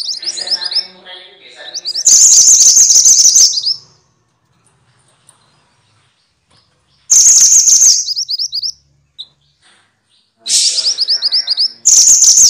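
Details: Minivet (mantenan, sepah) for training caged songbirds: short series of quick high upslurred notes, then loud harsh trilled bursts lasting about two seconds, with long silent pauses between.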